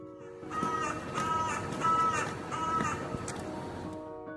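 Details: Carrion crow in the UK giving one of its most common calls, about five harsh, hoarse caws spaced under a second apart, over steady background music.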